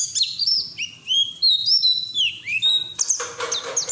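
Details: White-eye song in 'ngeriwik' style used as therapy for raw white-eyes; clear whistled notes slide down across several pitches, then a harsh noisy burst underlies renewed high twittering in the last seconds.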